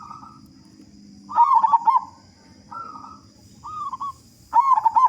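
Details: Local zebra dove, a frequent singer with a big voice, used to lure other doves into singing: loud rolling bursts of rapid staccato coos separated by shorter, quieter cooing notes, with a faint low hum behind.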